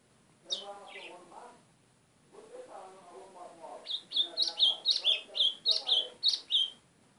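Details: White-throated seedeater song: after a stretch of human speech, a fast series of about ten sharp, high notes, each slurred up and down, repeated roughly four times a second.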